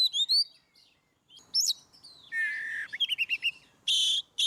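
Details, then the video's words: Oriental magpie-robin, ngeplong song used to coax silent birds into singing: clear rising whistles, then a long even whistled note, a rapid trill of short chips and two loud harsh bursts. "Kacer ngeplong"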